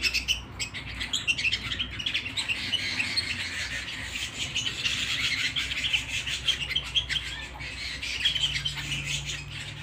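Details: At home, a canary sings rapid chirps and rolling trills almost without pause for ten seconds, with a faint low hum beneath.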